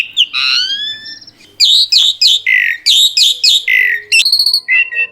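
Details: Asian pied starling in full, lively song with 'isian' fill-in phrases. Long descending whistles open it, then choppy repeated squawky notes follow, and a brief ringing metallic tone near the end.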